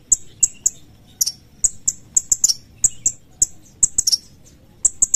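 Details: Sooty-headed bulbul producing a steady series of sharp, high 'cret' chips, single or paired, spaced about a quarter to half second apart, with a faint lower note early on and soft hiss behind.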